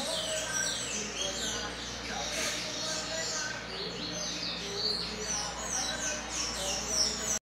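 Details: A pet tanager sings a steady run of high, squeaky chirps and twittering notes with no pause, over faint background noise and what may be distant voices.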